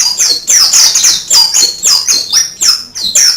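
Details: Canary-like song of an Oriental white-eye, a fast continuous run of high, sharply falling whistled notes, several per second, with no pause.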